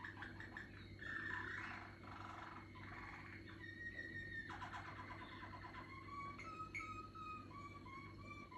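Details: Maturing song of a young Malinois canary. Rapid rolls lead into held whistled tones, then a string of short, evenly spaced piping notes near the end. A faint steady hum runs throughout.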